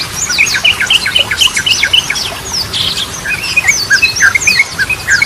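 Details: Yellow-vented bulbul singing loudly, used to stimulate stalled birds. Paired bubbly notes repeat rapidly, about four per second, under a spray of thin high slurs.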